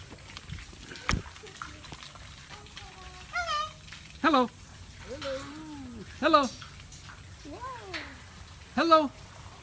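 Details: A captive Catalina macaw at a safari park in Huntsville, Alabama gives a series of harsh, speech-like 'hello' sounds with rising and falling inflections, about one every second or two, alongside a person saying hello.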